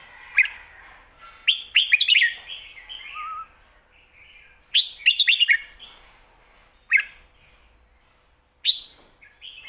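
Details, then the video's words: Red-whiskered bulbul kept for professional song contests in Thailand, switching between lak wai and mae bot phrases: loud chattering whistled bursts followed by quieter trailing warbles, phrases spaced two to three seconds apart. "ลากหวาย+แม่บท สลับวางเพลงชัดๆ นกแข่งอาชีพ"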